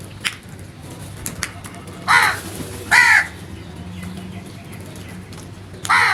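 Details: Crow giving loud, natural calls: three harsh, raspy caws roughly a second apart, the last cut off at the end, over a steady low hum and scattered faint clicks.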